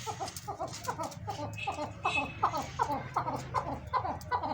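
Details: Captive chukar partridges, big-sized birds including a breeding pair, calling in an excited mood: a steady series of short, husky chuck notes repeated about two and a half times a second over a low background hum.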